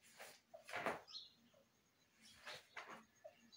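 Rose-ringed parakeet giving harsh, raspy squawks in two pairs about two seconds apart, with a brief high whistle between, in a quiet indoor room.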